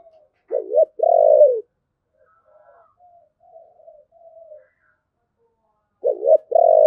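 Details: Spotted dove singing the giọng thổ style, said to sound deep and lovely: a low wavering coo and long falling note, a run of faint soft murmurs, then the two-part phrase again.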